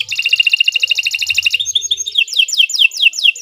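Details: Canary song used as a master recording: a fast, even buzzy trill gives way to a sequence of quick descending whistled slurs.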